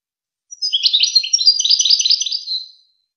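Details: Wakr Touzgha goldfinch song used to train young goldfinches and hybrids: one continuous two-second burst of rapid, high, jangling twitters and trills, bright and dense, with silence around it.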